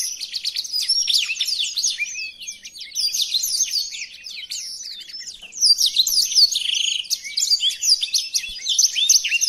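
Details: Blackthroat song for training other songbirds: bursts of fast, high twittering and whistled slurs, softer and sparser in the middle, then a loud rich chattering run with a brief buzzy note.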